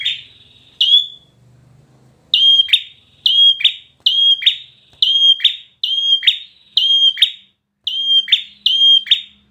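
Bar-winged prinia giving loud, shrill, piercing notes in short bursts, each doubled or tripled, repeated about every half second with brief pauses; a faint low hum underneath.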